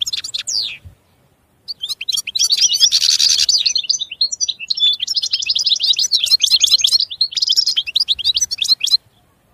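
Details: European goldfinch song: a long run of rapid, high tinkling twitters and liquid trills, with a brief pause near the start then continuous chattering phrases mixed with buzzy notes.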